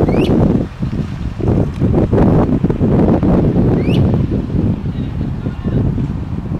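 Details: Great crested flycatcher calling at dusk on 1 May 2018, giving two loud, sharply rising whistled 'wheep' calls about three and a half seconds apart over heavy wind rumble.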